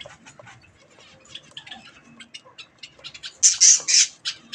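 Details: Budgies eating strawberries, quiet chatter building to a burst of four loud, shrill, rasping squawks near the end.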